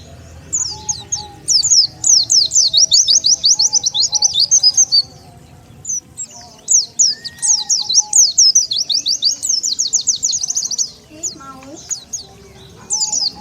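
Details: Oriental white-eye lure call used to attract wild birds: rapid series of high, thin, sharply descending chirps in two long bursts, about four per second, with faint lower tones in the background.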